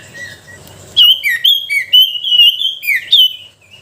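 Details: Sooty-headed bulbul lure song to stir lazy bulbuls into singing; after a quiet start, a brisk run of loud, fluty whistled notes slurring up and down, about eight notes in three seconds.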